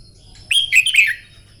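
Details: Red-whiskered bulbul in contest song training at morning, one brisk phrase of three or four bright warbled whistles sliding downward.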